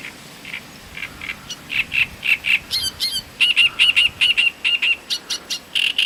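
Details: Great reed warbler in song near Voronezh, Russia, 2012: loud croaking, grating phrases of repeated harsh syllables, about two per second, mixed with rattling clicks and scratchy notes.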